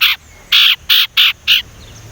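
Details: Loud raspy chatter from a young Sumatran leafbird learning its whistle: five harsh buzzy chips in quick succession, each about a fifth of a second long, with little else around.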